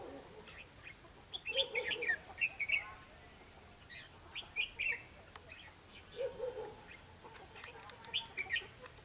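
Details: Red-whiskered bulbul song during a trapping fight with a lure bird, 21 December 2015: bright, bubbling whistled phrases in bursts, with lower mellow notes from another bird between them.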